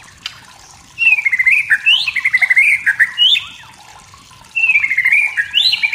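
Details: White-rumped shama from the forest, wild, singing to provoke rivals: a fast rattling trill of wavering whistled notes lasting over two seconds, a pause, then the trill starts again.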